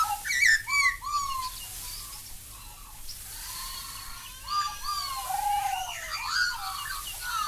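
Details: Australian recording of Black-backed Magpie: a jumble of gurgling, fluty notes and short downward slurs. Several voices seem to overlap against a steady background hiss.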